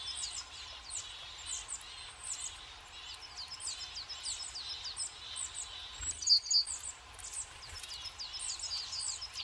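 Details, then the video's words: Tits visiting a forest feeder stocked with sunflower seeds in winter; thin, high chirping calls repeat quickly and overlap throughout, with a steady low background hum. "Синицы зимой, лесная кормушка, Bird feeder in winter"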